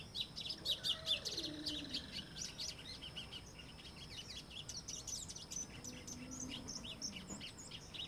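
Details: Golinho, the white-throated seedeater of Brazil, in a quick, busy song of sharp high chirps and trills, loudest at first then continuing more softly, with a few faint lower sliding tones in the background.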